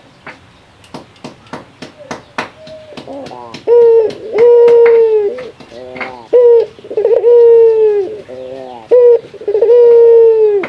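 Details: Male local Barbary dove calling a rival. After a run of tapping clicks, a rolling stutter leads into drawn-out, slightly falling coos that repeat several times.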